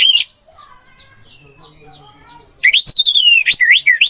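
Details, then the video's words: Orange-headed thrush song, anis merah masteran: a brief loud note, a quiet gap with faint background calls, then a vigorous run of rapid whistled notes sweeping up and down. "MP 3 MASTERAN ANIS MERAH MACET BUNYI"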